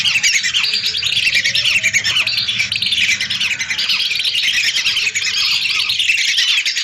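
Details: Chorus of hundreds of lesser whistling ducks, recorded to lure birds: unbroken high-pitched whistles and squeaks from many birds overlapping evenly throughout.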